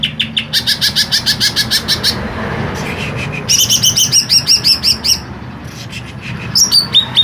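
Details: Kept green leafbird giving a long, rough-voiced song of fast repeated chips and sweeping whistles in several bursts, with a steady low hum beneath.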